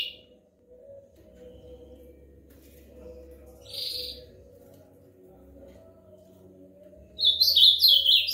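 An ultramarine grosbeak gives one brief high note, then a fast, warbled, whistled phrase at the end, over a faint steady background hum.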